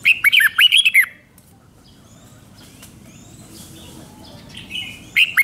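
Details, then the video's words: Thai red-whiskered bulbul song in the doubled five-syllable style: a quick warbling phrase, a pause filled with faint distant chirps and soft rustling, then the start of another phrase. "เสียงนกกรงหัวจุกเบิ้ล2 เบิ้ล3 เพลง 5 พยางค์"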